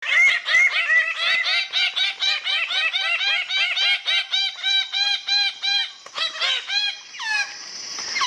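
Greater bird-of-paradise giving loud, nasal, harmonic wauk notes in a rapid run of about three per second, ending in a higher, drawn-out cry.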